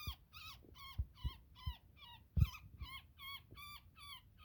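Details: Harsh, strained distress notes from a woodpecker caught in a net, repeated about twice a second while people work to release it, with soft knocks and handling bumps in the background.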